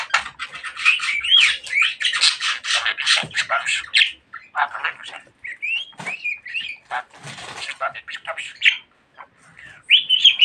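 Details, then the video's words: Pet budgerigar talking a lot, a fast stream of scratchy, buzzy chatter syllables mixed with short clear whistled notes, pausing briefly near the ninth second before resuming. "Muhabbet Kuşu Çimen Çok Konuşuyor.~Budgie Grass Talks a Lot"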